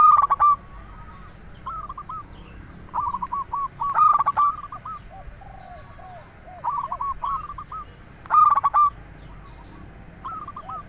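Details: Zebra dove song used for trapping and stirring other doves to respond: loud stuttering coo phrases about every four seconds, interleaved with softer rolling coo series from more distant doves.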